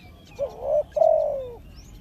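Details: Spotted dove heard close as a trapping decoy, giving two loud low coos, the second long and slurred downward at the end, against a quiet background.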